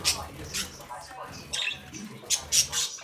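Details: Young captive budgerigars from a home brood playing and interacting: sharp, high chirps and squeaks come in irregular bursts a few times each second over a faint low hum.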